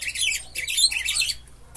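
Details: Buffy-fronted seedeater (batuqueiro, bico de pimenta) in a cage set next to another, delivering a fast, high twittering song in two busy bursts separated by a brief pause, then falling quiet.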